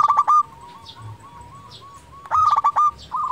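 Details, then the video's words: Singing local zebra dove meant to spur lazy doves to call: a loud rattling trill, then a run of soft evenly spaced coos, followed by two more loud vibrating trilled phrases; faint high chirping of another bird behind. "Perkutut lokal gacor pancingan untuk perkutut malas bunyi"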